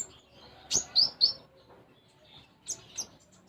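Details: Konin, the brown-throated sunbird, singing with sparrow-style notes: three high, thin, sharp chirps in quick succession, a pause, then two fainter high chirps.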